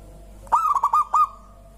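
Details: Single phrase from a local zebra dove whose singing sets other birds calling: a rapid string of short, clipped cooing notes lasting under a second, then quiet.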